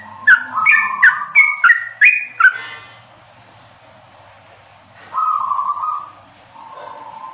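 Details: Sooty-headed bulbul singing in the ropelan style, a fast song: a quick run of six sharp, clipped notes with bubbly upturned tails, then a pause and two drawn-out, level whistles.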